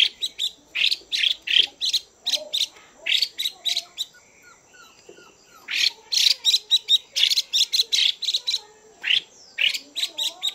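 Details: A female Chinese hwamei produces rapid, scratchy chatter to stimulate males: bursts in quick runs, a softer lull midway, then renewed vigorous rattling with faint twittering underneath.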